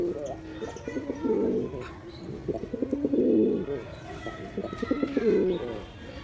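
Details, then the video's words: Male pigeon producing three throaty, rolling coo phrases at roughly two-second intervals, each swelling and fading, with light background noise. "Pigeon sounds attract pigeons || Male pigeon Sound"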